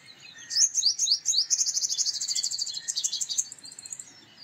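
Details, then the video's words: Male purple sunbird singing: a quick series of high, sharp rising notes that runs into a rapid, even rattle of ringing metallic notes, slowing slightly toward the end. "Purple Sunbird Sound / Purple Sunbird Song / Purple Sunbird Call /Male Purple Sunbird Vocals, Voice"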